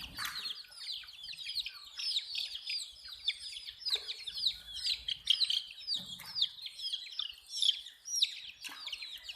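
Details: Baby chickens, colored chicks, peeping in a dense chorus: rapid, thin, high descending chirps pile up steadily with brief louder notes, little other sound beyond faint low knocks.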